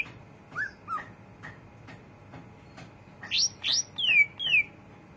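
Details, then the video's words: Greater green leafbird giving ngriwik chatter: a few soft short whistles followed by four loud, rapid sweeping notes that rise steeply then slide down, over faint background clicks. "cucak ijo rajin ngriwik"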